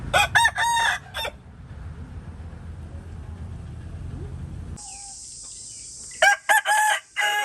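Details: Rooster crowing in short harsh bursts at the start, then a stretch of low background noise and a steady high hiss, followed by more clipped crowing syllables near the end.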